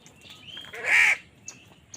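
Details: Crows fighting for food: one strong, rasping caw rises out of faint softer calls, followed by brief scattered clicks and chirps in the quiet background.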